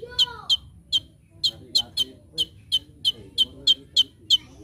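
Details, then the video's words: Olive-backed sunbird, known locally as konin, singing for a master training recording: a steady string of sharp, high, clipped chirps, about three each second, with faint lower chirping underneath. "Masteran Handal ‼️ Konin Gacor Full Tembakan"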